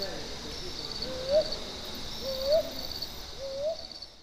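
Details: Brown hawk-owl (Ninox scutulata) at Buxa, Alipurduar, India, giving soft, low rising hoots, a 'hoo-wup' about once a second, over a steady high insect hum.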